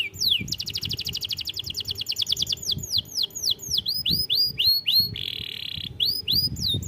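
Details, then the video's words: Canary song played as a lure to make young canaries sing: a long run of rapid trills, then loud sweeping whistled notes rising and falling, a brief buzzy steady tone, and more repeated swooping phrases, all high-pitched. "pancingan burung kenari muda cepat bunyi"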